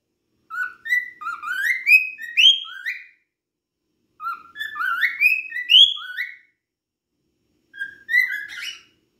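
A cockatiel whistles three phrases of rising, slurred notes, each run climbing in pitch over about two seconds, with short pauses between and nothing else heard.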